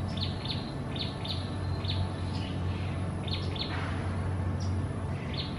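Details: A pair of wild lesser whistling ducks, uncommon breeding residents in Singapore, calling at Gardens by the Bay: short high whistled notes in doubled and tripled bursts, coming several each second, over constant low background hum.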